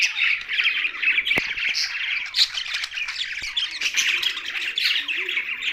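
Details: Young budgerigar sound: continuous, dense, high chattering and squawky twittering with no pauses. Faint clicks and taps can be heard beneath it.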